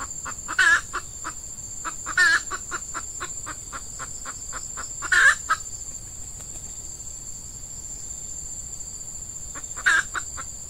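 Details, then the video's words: Red junglefowl hen calling as a lure for wild cocks in peat scrubland. Clucks with loud rasping squawks come in the first half, then a quieter stretch and one final squawk near the end, over a steady high insect tone. "Ayam Hutan Pikat Betina"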